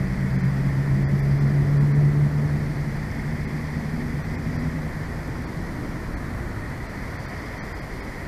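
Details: Droning engine hum with a throbbing low tone that fades after a few seconds, over a steady background rumble; no animal voices.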